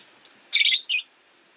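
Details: Rosy-faced lovebird among five caged birds by a window on a rainy day, positions contested on the perch; two loud, harsh, high chirps in quick succession, the first longer and raspy.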